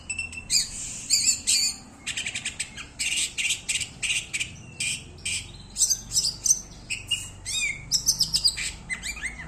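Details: Oriental magpie-robin delivering 'konslet' song, a nearly continuous stream of high, harsh, chattering notes and scratchy trills in quick bursts, with rising chirps toward the end.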